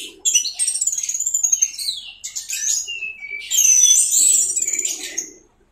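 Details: Teler-style song of an orange-headed thrush, recorded to tutor songbirds: high thin whistles and fast repeated chips about four per second, rising into a bright trilled burst.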